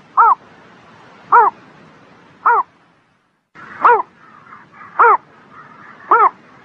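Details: Bird singing on a spring morning: short, arched, harmonic notes at middle pitch, repeated about once a second, with a brief silent break midway and faint warbling from other birds behind.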